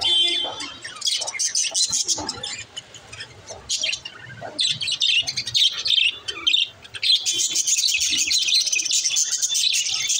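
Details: Active budgerigars singing together, a continuous busy stream of high chirps, twitters and short squawks that overlap throughout, swelling louder toward the end.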